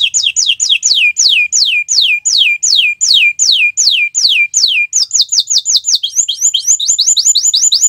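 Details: Canary on a Friday morning delivering a steady string of loud descending whistles, about three per second, speeding into a quicker run of shorter sweeping notes.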